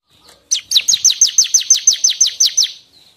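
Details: Bar-winged prinia singing, recorded for tutoring songbirds and as a trapping lure: a rapid, even series of about fourteen sharp, high, downslurred chirps, roughly three per second, then a faint soft note.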